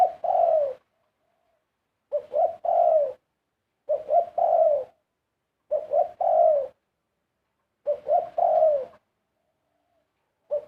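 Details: Zebra dove song, the phrase repeated about every two seconds: two quick clipped notes, then a drawn-out warbling coo that trails downward, with clean silence between phrases.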